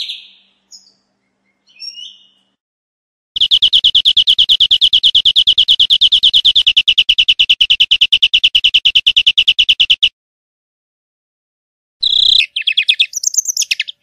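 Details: European greenfinch singing in nature: a few short chirps, then a long, even, rapid trill held for about seven seconds, followed after a pause by another fast trill rising to higher notes.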